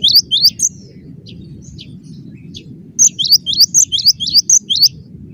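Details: Dense gacor song of the cinereous tit, or gelatik batu: a few quick high whistles open, a quiet gap with faint notes follows, then a fast run of repeated sharp two-part phrases, all over low hum.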